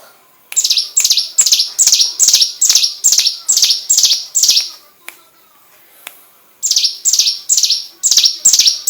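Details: Hill prinia singing, recorded as training material for magpie-robins: rapid, high, buzzy down-slurred phrases repeated over two seconds each side of a brief pause with a faint click, then the run resumes.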